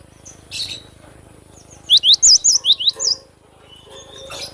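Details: Cinereous tit singing with vigour: a single bright burst of about eight quick, high two-pitch notes in the middle, surrounded by soft background noise and faint distant chirps.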